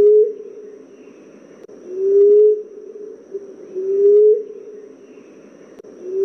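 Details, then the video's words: Common emerald dove call used as a lure for hunting this species: low, soft, slightly rising moaning hoots, one about every two seconds, with faint background hiss. "Emerald dove sound/Huni para lumapit"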